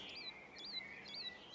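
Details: Woodlark song during a display flight from a perch in ancient woodland in spring: liquid, looping whistled notes repeated about twice a second over a steady high tone, with faint outdoor background.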